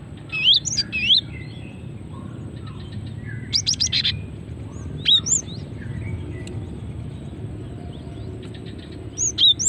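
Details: Female cinereous tit, used as a lure to make other birds sing: scattered high, sharp chirps and quick upslurred notes in short groups separated by pauses, against a faint low rumble.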